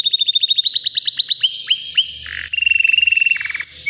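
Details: About three years old, a white canary delivers nonstop song: evenly spaced rising chirps, then a lower rapid rolling trill, with brief faint low hum behind.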